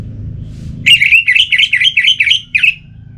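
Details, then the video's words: Orange-headed thrush (anis merah) with stimulating pacingan sound meant to keep it singing: after a low hum, a rapid run of about ten loud, slurred whistled notes with chattering trills, lasting about two seconds. "Memacu Burung ANIS MERAH dengan Suara Pacingan Agar Selalu Berkicau Pagi Siang Malam TIdur"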